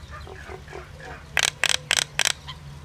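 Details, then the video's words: Common myna producing four loud, harsh, broadband squawks about a third of a second apart, preceded by soft low gurgling notes, against low background hum. "Common myna bird song Indian myna sound | mynah singing"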